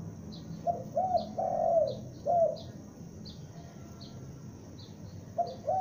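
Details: Spotted dove, a young bird used as a lure, giving loud cooing phrases of two short notes and a longer drawn coo, repeated with pauses; faint high chirps of another bird in the background.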